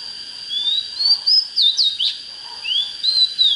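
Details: Oriental magpie-robin singing to lure and rouse birds for fighting: a few clear, drawn-out rising whistles and brief sliding notes with short gaps, over a steady high-pitched background whine.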